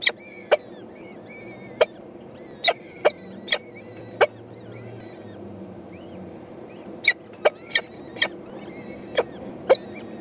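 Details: Peregrine falcon chicks, four eyases, begging food from their mother on 14 May 2012: repeated sharp harsh chips, scattered and then bunched, with faint thin high whistles and a low hiss behind.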